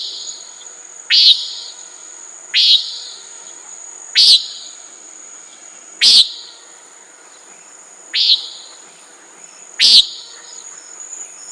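A Common Nighthawk gives six harsh, nasal, buzzy peent calls, one every one and a half to two seconds, over a steady high insect whine.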